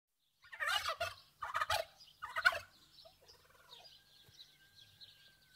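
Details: Turkeys outdoors on a farm gobble in three loud, rapid, rattling bursts about a second apart, followed by softer clucks and a thin high whistle fading out.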